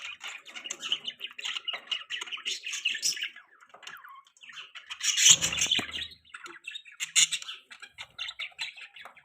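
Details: Pet budgies keep up a busy twittering chatter of rapid squeaks, clicks and scratchy warbles, broken by a loud harsh squawk midway and sharp chirps later, in a quiet indoor setting.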